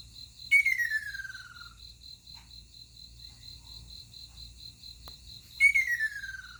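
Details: Ruddy kingfisher calling in the morning, 20 June 2022: a clear, high whistled trill sliding steadily downward over about a second, given twice five seconds apart, over a constant pulsing insect drone.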